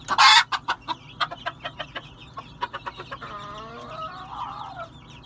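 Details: Red junglefowl giving a loud, broad opening burst followed by a run of short, sharp clucks, then a drawn-out, harmonic, wavering call. A constant insect chorus hums underneath.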